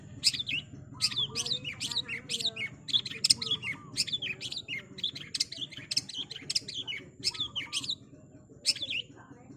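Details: A long-tailed shrike delivers a busy stream of high, squealing, warbled notes in quick succession, briefly pausing near the end. Faint lower trills and a steady low hum sit behind the song.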